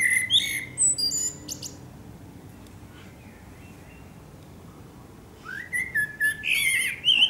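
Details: Eurasian blackbird song at sunset in Akersloot, Holland, March 2018: a high twittering phrase end, several seconds of quiet, then a rich descending flute-like warble followed by squeaky high notes.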